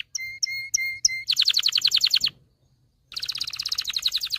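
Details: Excited canary, its song used to train males to sing and ready females to mate: four repeated ringing double notes, a rapid pulsed trill, a short pause, then the trill resumes.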